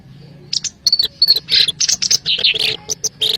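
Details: Black-browed reed warbler trapping lure: short bursts of sharp high chirps and scratchy trills, some notes slurring down, delivered in quick uneven groups with brief gaps between them.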